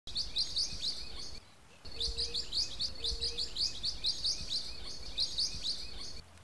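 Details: Blue-winged parrotlets calling: dense, high, rapid chirps and twitters from several birds overlapping, pausing briefly near the start before resuming, with a faint low hum beneath.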